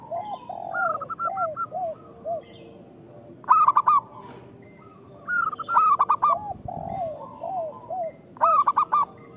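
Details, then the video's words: Local zebra doves in song used to lure other zebra doves into calling: loud four-note rolling coo phrases repeat about every two to three seconds, mixed with softer lower coos and short trills from several other doves. "Perkutut lokal gacor Suara Pancingan Paling Disukai Burung Perkutut"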